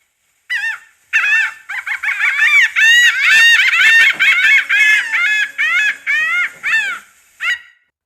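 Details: A Laughing Gull (Leucophaeus atricilla) gives its nasal, laughing 'ha-ha-ha' call: a quick run of about a dozen arched notes, about two per second, trailing off into a few separate notes.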